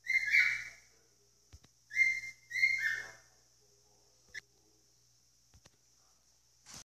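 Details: Shrill whistled screeches from a pet cockatiel: one call, then a quick double call. Quiet follows with a faint steady hiss and a few clicks.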